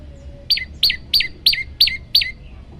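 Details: Six ringing, high notes from an olive-backed tailorbird, each dropping quickly in pitch and spaced evenly about three a second; a varied song meant for training birds, with low background hum.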